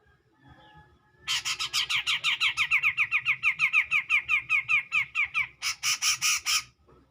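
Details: Grey-cheeked bulbul singing loudly and clearly to provoke a rival: a long run of about thirty harsh, buzzy, down-slurred notes delivered rapidly, ending in a few broader rasping bursts, with faint low background noise.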